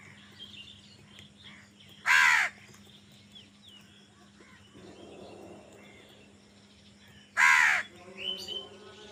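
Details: Two loud, rasping crow caws about five seconds apart, fighting for food, over a background of soft bird chirps and a low electrical hum.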